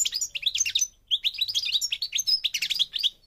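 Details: Moroccan European goldfinch, subspecies parva, giving a rapid stream of high tinkling chirps, slurred whistles and short buzzes, with only a brief break near the one-second mark.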